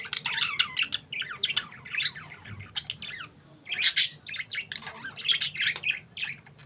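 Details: Pet budgerigars, several parakeets together, keep up a dense chattering warble of quick, scratchy chirps and squeaks, with a louder burst near the middle and a low background hum.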